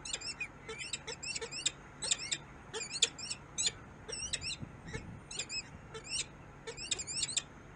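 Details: In Harrisburg, USA, a peregrine falcon utters rapid strings of shrill, high chevron-shaped notes, grouped in bursts roughly every second, with low hum in the background.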